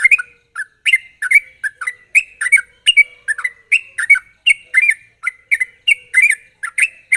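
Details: A sooty-headed bulbul sings a sharp, fast chattering lure song meant to make untrained birds start singing: steady strings of bright, downward-slurred notes repeated several times a second without pause.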